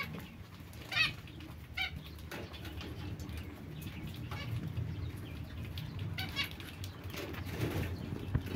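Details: Short nasal zebra finch beeps, a couple of loud single notes early on, then softer scattered calls over a steady low hum.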